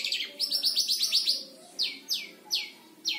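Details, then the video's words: Five-month-old caged long-tailed shrike practising lovebird and canary imitations: a fast chattering run of squeaky notes, then four loud separate downslurred whistles, each falling sharply. "Cendet Umur 5 Bulan Belajar Nembak Lovebird Dan Kenari Secara Fasih"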